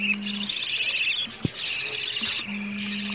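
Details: Budgerigar chicks asking for food, played back to stimulate budgies to mate, lay eggs and raise more chicks, suggested for morning and evening: dense, raspy high chattering in continuous bursts, with a steady low hum and one sharp click.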